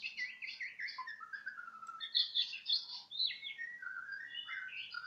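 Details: Young Sumatran laughingthrush (anakan bahorok) singing: a rich, varied stream of whistled and chattering phrases, some sliding down, some rising, with bright notes delivered quickly and without a fixed rhythm.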